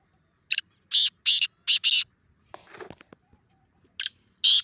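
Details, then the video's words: Grey francolin call used to provoke a pet francolin's reaction, with a rapid series of four or five loud, harsh, rasping notes, some rustling, then two more bursts. "اپنے تیتر کو یہ آواز سناؤ 😱 تیتر کا زبردست ردعمل دیکھیں | Teetar Call"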